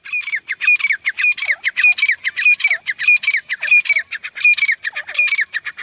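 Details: Grey francolin calling loudly and insistently: a rhythmic, repeated series of harsh, ringing, squeaky phrases, each with a low hooked note, repeated steadily for several seconds in a quiet setting.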